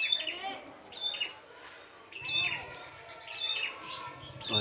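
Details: Wild red-headed prinia singing vigorously: repeated high whistles that slide into buzzy trills, with brief low murmurs underneath between phrases.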